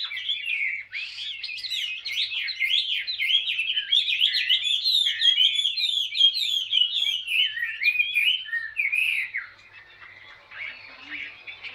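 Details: Chinese hwamei, wild-caught and mature, blue-green plumage, caged for two years, delivering ngũ trường song: a long, dense stream of quick varied whistles and trills lasting about nine seconds, then fading into soft quieter notes.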